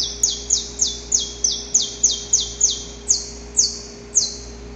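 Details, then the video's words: Saffron finch male singing in the wild before daybreak while courting a female: a fast train of high, sharp falling notes, about three per second, slowing toward the end, with faint background hum. "Canto Para Esquentar o Canário da Terra - Gravado na Natureza!"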